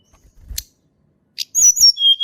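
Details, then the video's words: Hill blue flycatcher singing in the wild: a few soft clicks and ticks, then a run of clear, high whistled notes that slide downward and end on a steady lower whistle. "TLEDEKAN GUNUNG SUARA ASLI ALAM"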